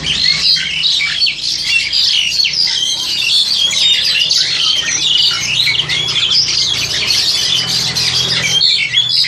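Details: Crested Myna kept for breeding, a young bird of 7-8 months taped with an old mobile phone, giving a nonstop stream of shrill squawks, rasping notes and quick whistles, loud and unbroken for over nine seconds, low hum behind.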